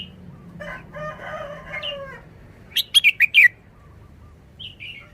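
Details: Caged red-whiskered bulbul in Thailand showing a short, simple wild-style song: after a drawn-out, rooster-like crow in the background, a quick burst of four or five sharp whistled notes, then a brief soft note.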